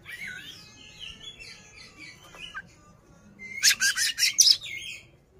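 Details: Oriental magpie-robin singing while displaying with its tail spread, meant to provoke a rival: thin whistled and slurred notes, then a burst of loud harsh, scratchy rasping phrases near the end.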